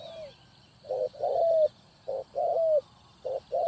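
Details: Decoy spotted dove for bird trapping in Ninh Thuận, giving soft hollow coos: a brief lead-in, then paired clipped notes and a longer downslurred coo, phrases separated by short pauses.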